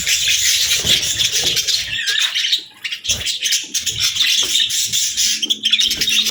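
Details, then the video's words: Budgerigar chirping as a continuous, high, buzzy warble with quick twittering notes and a brief lull near the middle. "Budgie Chirping Sounds"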